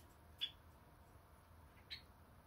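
A Java sparrow gives two short, high chirps about one and a half seconds apart over a low indoor hum.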